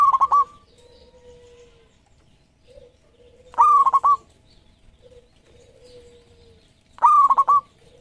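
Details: Local zebra dove, a champion bird, singing as a lure: three loud, stuttering coo phrases repeated about every three and a half seconds, each followed by a faint, drawn-out lower coo.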